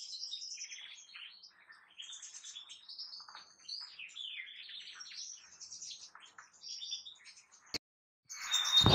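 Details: Kept European goldfinch singing a lively stream of thin twittering notes and chirps for about seven seconds, followed by a sharp click, a short silence and a burst of noise.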